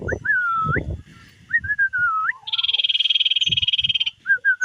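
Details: Tame common iora singing actively: drawn-out whistles that slur downward and then flick sharply up, followed by a steady buzzy rattle of rapid pulses lasting over a second, with soft low thumps beneath.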